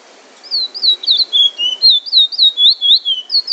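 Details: Singing bullfinch from Trinidad delivering drawl and wheet drawl phrases: steady chain of sweet, bending whistles at around four notes per second, ending in a sharper upward note.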